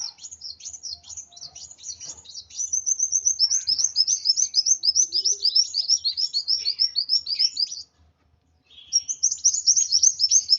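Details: An agitated sunbird pours out long strings of high, thin, tumbling chirps and slurred notes, pauses briefly, then resumes with more rapid twitters.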